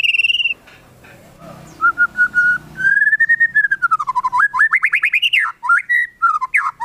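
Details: Melodious whistling from a white-rumped shama, a lure for other shamas to sing: a high whistle, a pause, then long gliding whistles that dip low and rise again into a quick, climbing trill.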